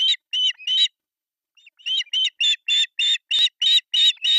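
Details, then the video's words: During breakfast feeding on July 1, 2024, three osprey chicks beg on an artificial nest in Pohjois Satakunta, Finland, filmed by nest camera. Three sharp chirps, a second of quiet, then a steady, even run of shrill chirps. "Breakfast feeding to three osprey babies"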